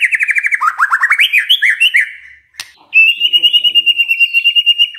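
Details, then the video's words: White-rumped shama lure song to provoke replies from other shamas: quick rhythmic repeated notes sliding about in pitch, a short break with a click, then a steady high trill of evenly repeated notes. "pancingan murai batu ini bikin GAMPANG NYAUT murai lainnya"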